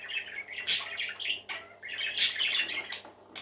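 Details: Several happy parakeets singing together indoors: busy, overlapping chirps and warbled twitters, with two louder sharp squeaky bursts about a second and a half apart and a faint low electrical hum underneath.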